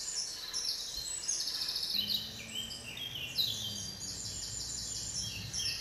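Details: Eurasian nuthatch in the Gargano woods, 5 May 2007, during the breeding season, giving high, sharp repeated chirps in quick overlapping bursts, with a low steady hum beneath from the second second onward.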